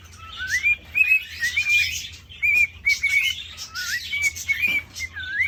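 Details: A caged male cockatiel whistles continuously while courting a female: up-slurred starts, sustained level tones and wavering phrases, about ten notes in quick succession with breathy noise throughout.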